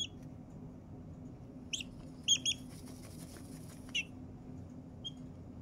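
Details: Happy noises from a four-week-old Blue Ameraucana chick settling in for a nap: a handful of sparse, high, clipped peeps, one quick double peep, then quiet with a low background hum.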